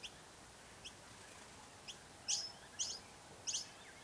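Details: Noisy miner at its nest, recorded with a DSLR and telephoto lens: faint high notes at first, then three louder, sharp, doubled chips about half a second apart over a steady background hiss.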